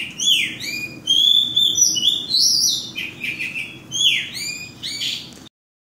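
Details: Oriental magpie-robin recorded in Kota Kemuning, Selangor, Malaysia in 2017, pouring out sweet whistled notes and sliding slurs, several phrases in close sequence, with a faint low background murmur.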